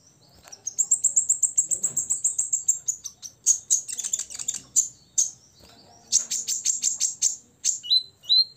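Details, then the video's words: Olive-backed sunbird, six years old, singing aggressively to rile rivals: a rapid high buzzy trill, bursts of sharp chips, another quick chip series and two short lower whistles at the end. "kolibri ninja ngobra 100% bikin lawan EMOSI"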